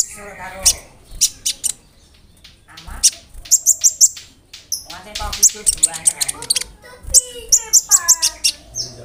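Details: Konin singing a varied song of mimicry, including cricket sounds, used to teach songbirds such as magpie robins and canaries: bursts of shrill, high ticking chirps and short whistled warbles, broken by brief pauses, with some faint voices.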